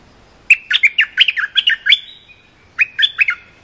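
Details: Short training song of a cream-vented bulbul, used to teach young birds: a rapid run of about nine sweet, slurred chirps, a brief pause, then a shorter phrase of three or four similar notes, in quiet surroundings.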